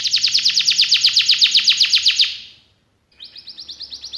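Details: Canary delivering a fast, even trill of rapidly repeated high notes for over two seconds, a brief pause, then a softer quicker trill resumes.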